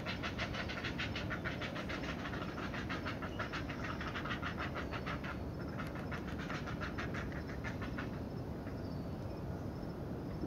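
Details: Heron chicks in the nest beg noisily as their mother feeds them, a fast, dry ticking chatter of about four or five beats a second over a steady low rumble of wind.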